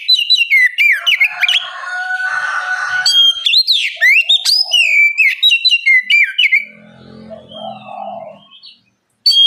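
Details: Oriental magpie-robin bait song meant to draw other birds into singing: long run of varied whistles, sweeping slurs and sharp clicks, a quieter low warbling passage near the end, then a brief loud note.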